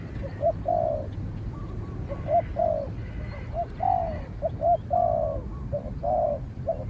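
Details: Cooing contest of spotted doves: a decoy bird in training against a wary wild dove fighting from afar, later chased out. Paired short coos lead into long, downslurred notes, repeated in quick phrases with a low hum behind.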